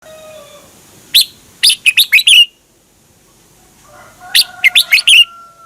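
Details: Caged Red-whiskered Bulbul from Thailand, a recording played so young birds copy the song or to excite other birds. Two bright, rapid phrases of about five sharp, slurred whistled notes, separated by a pause. A faint steady tone runs in the background.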